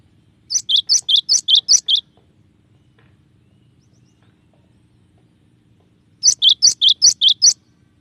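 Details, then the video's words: Two phrases of cinereous tit song, each a rapid string of about seven loud high chips with falling tails, spaced about four seconds apart over faint low background hum. "suara burung glatik batu bervariasi"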